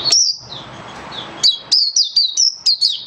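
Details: Caged oriental white-eye in a song-display booster test, giving high, sharp whistled notes in a quick series after a brief opening note and a quieter gap with faint background rumble.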